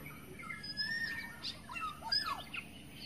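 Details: Lure call of a wild forest black-naped oriole, a few irregular fluting whistles and short slurred notes, with a sharper chirp near the end over a faint constant hum.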